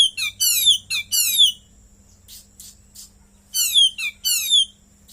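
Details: Caged Oriental magpie-robin in full song, its repertoire filled with cililin phrases, kept only a short time: loud rapid bursts of high, thin, descending whistled sweeps in quick trills, phrases separated by short pauses, with a faint steady hum behind.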